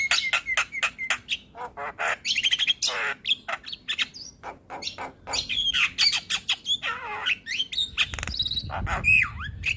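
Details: Javan myna singing energetically for tutoring caged mynas: rapid stream of clicking and chattering notes mixed with buzzy slurred whistles and descending warbles, hardly a pause in ten seconds.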